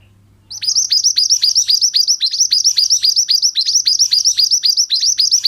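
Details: Pied bushchat (mantenan) song used as a training recording for other birds: a fast run of bright, downward-sweeping whistled notes, about four per second, steady and unbroken, with a faint low hum beneath.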